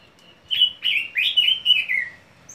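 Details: A common nightingale, recorded in 2019, sings a brief phrase of five or six rich, slurred whistles in quick succession, the last one gliding downward; quiet background.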